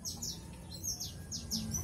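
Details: A criollo canary gives high, thin notes that slide steeply downward, several in under two seconds, over a low background rumble and faint voices.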